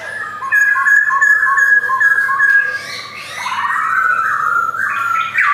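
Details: Male black-throated laughingthrush with white cheeks, kept in a collection in Jogjakarta, 2021: rich whistled song of short, clear notes in quick succession, shifting into a rising, fuller, slightly harsh warbled run.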